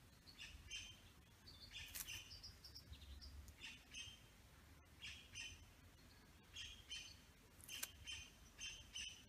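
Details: Male satin bowerbird (Ptilonorhynchus violaceus) in his bower with females, giving short harsh, buzzy bursts with bright high overtones, repeated in irregular clusters over steady low rumbling background noise.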